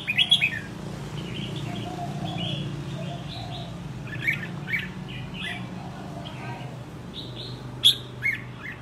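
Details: Wild-caught red-whiskered bulbul in a cage, said to be ready for contests after a year, sings scattered sharp chirps and short warbled phrases over several seconds, with softer chatter between and a constant low hum.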